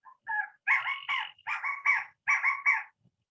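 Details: California Quail giving its well-known 'chicago' call: loud, harmonic notes grouped in threes, each triplet repeated about every 0.8 seconds, preceded by a softer two-note phrase, against a quiet, clean background.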